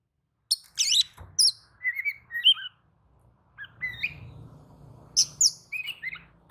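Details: Oriental magpie-robin answering another bird of its kind in agitated song, giving high slurred whistles and quick twittering notes in broken phrases, with a faint low rumble beneath the middle part.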